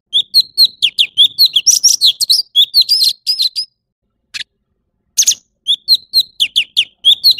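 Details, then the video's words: Orange-bellied leafbird giving bursts of rhythmic clear whistles and chirps, a brief pause with a lone scratchy note, then the rapid whistling resumes. "Tiếng chim thanh tước trung quốc/Chim xanh vàng✅Orange-bellied leafbird ✅นกเขียวก้านตองท้องสีส้ม"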